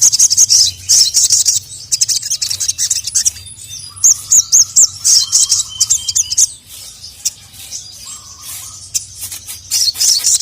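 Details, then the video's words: Loud, dense crimson sunbird (sogon) twittering: very high, rapid chirps and trills in long runs, with brief lower buzzy phrases between bursts. "SOGON GACOR LANGSUNG NYAUT EMOSI NGAMUK DENGAR SUARA BURUNG SOGON MEMANGGIL JANTAN INI"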